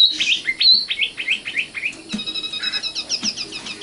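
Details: Young common nightingale song: a run of loud falling whistled notes about every quarter second, switching to a buzzy, steady tone and a burst of quick high chirps.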